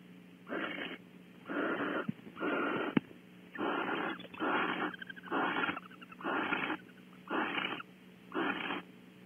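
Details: Barn owls bonding at a nest cavity on Audubon Starr Ranch, California: loud, rasping, breathy hisses repeat roughly once a second in a steady series of eight or nine, over a low constant hum.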